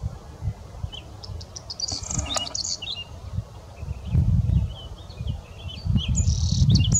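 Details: Whinchat song: short scratchy high phrases near two seconds and again near six seconds, with scattered thin chirps between, over a strong low rumble of wind.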